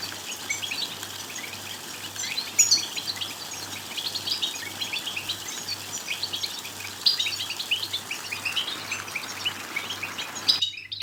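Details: European goldfinch song played to excite goldfinches into singing and breeding, Morocco: rapid high twittering and sharp chirps packed closely, with a few brighter notes, over a steady low hum, ending with a sudden broadband click.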